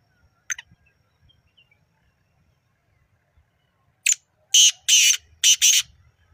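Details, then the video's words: At Nawabshah a black francolin gives a single short rasping note, then after a pause a loud grating phrase of five coarse notes, the third and fourth drawn out. "Kala Teetar Ki Awaz | Black Francolin"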